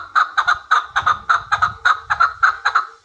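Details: Hybrid chukar partridge close up, giving loud paired chuck notes in a brisk, even rhythm, roughly a dozen over three seconds, with faint low knocking beneath.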